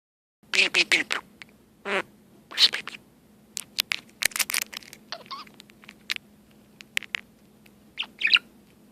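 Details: A pet budgerigar chatters in rapid, scratchy bursts, mixing squeaky chirps with an imitated Star Trek communicator chirp and other electronic beeps.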